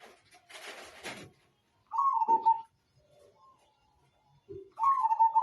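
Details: Zebra dove (perkutut), Majapahit type, used as a training song for birds: two trilled, slightly falling coo phrases a few seconds apart, after a brief broadband rustling burst.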